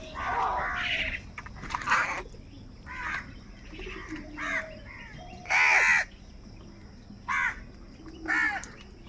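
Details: Crows fighting for food give harsh, hoarse caws in irregular bursts, some single and some doubled, with short pauses between them and faint lower grating notes underneath.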